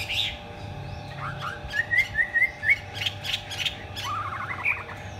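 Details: Chinese hwamei performing a fanned-tail display song, heard more softly: scattered notes, then a short row of quick bright whistles, followed by a lower rattling burst.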